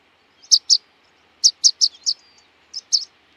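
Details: Rock pipit, a large dark pipit of sea coasts and outer archipelagos, giving short high sharp call notes, two together, then a run of four evenly spaced, then two more after a pause, over a quiet background.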